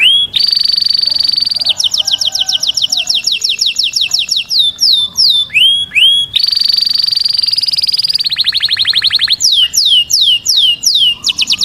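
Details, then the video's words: Canary song used to train chicks to sing. Loud, continuous song of sustained whistled tones and rapid rolling trills, with sweeping down-slurred notes repeated in series, the phrases changing every second or two. "Taghreed canary to train chicks to sing"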